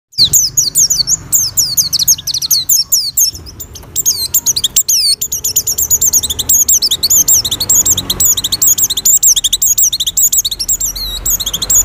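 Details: Oriental white-eye in breeding condition singing to lure other white-eyes: a dense, unbroken stream of very high, thin, rapidly twittering notes, each swooping down and up, packed closely for the whole stretch.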